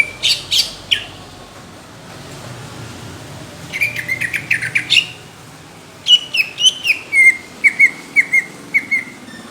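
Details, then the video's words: Greater green leafbird singing competition-quality song, called coarse and thick: sharp whistled bursts, a dense chattering run, then a series of loud falling whistles repeated about twice a second. "CUCAK IJO INCARAN JURI | TEMBAKAN KASAR DAN TEBAL"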